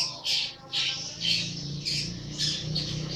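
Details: Young long-tailed shrike, 80 days old, singing energetically: harsh squawky bursts high in pitch, repeated about twice a second with uneven spacing, over a low steady hum in the background.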